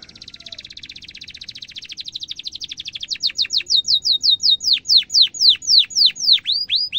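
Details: Canary singing as a lure so young canaries learn its song: three seconds of fast, tight rolling trill, then loud sweeping downslurred chirps repeated about twice a second.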